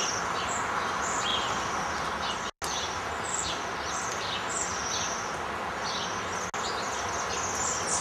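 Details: A winter flock of Bohemian waxwings come from the forest to strip berry trees, giving thin, very high, sibilant trills, several birds overlapping about twice a second, over a steady broad rush of wind or distant traffic.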